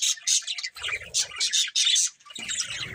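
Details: Budgies chirp in quick, high, scratchy bursts, a warbling chatter with brief low thumps underneath near the middle and end.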